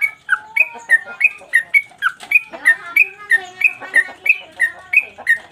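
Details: Sooty-headed bulbul singing a 'mbandul' song in captivity, made as a master recording for training birds. It repeats rapid whistled notes, some slurred downward, about three per second, with light chirps mixed in.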